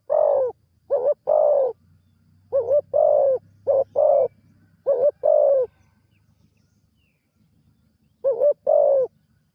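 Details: Spotted dove, a newly trained decoy bird on its first outing for ground decoy work, giving deep, husky coos in short phrases of two or three notes, each phrase separated by a pause of roughly one to three seconds, with quiet background.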